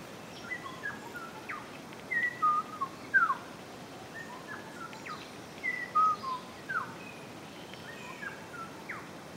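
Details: Orange-collared manakin giving short clear whistled chirps and slurred notes in loose bursts every few seconds during a dance display with a female present, over a steady hiss of forest background.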